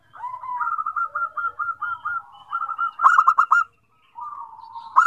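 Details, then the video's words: Zebra dove song prompting other zebra doves to sing: a steady series of evenly spaced cooing notes leads into a loud rapid trill. After a brief silence comes softer cooing and the start of another burst. "SEKALI BUNYI PERKUTUT LAIN JADI RAME"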